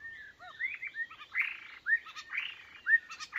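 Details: White-rumped shama used as a decoy, described as weak: rich fluty whistles mixed with short hooked notes and scratchy bursts, phrases repeating about twice per second.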